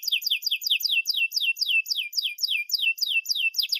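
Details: Singing canary, recorded as a tutor for young canaries. Crisp, sharply falling whistled syllables repeat steadily, about four per second, forming an even chirping series throughout.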